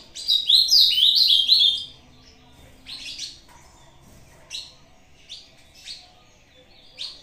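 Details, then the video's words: Ultramarine grosbeak (azulão) singing a short song for competition, dueling against a played recording; a rich, rapid warbled phrase of high whistled notes for almost two seconds, then brief separate chirps roughly every second. "Azulão BRAZUCA disputando com vídeo. Canto curto pra roda."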